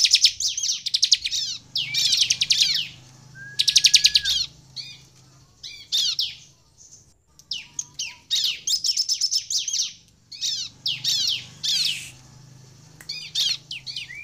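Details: Extended energetic bar-winged prinia singing, meant to provoke other birds of its kind to call: alternating rapid buzzy trill bursts and scattered sharp downslurred chips, with quieter gaps between phrases.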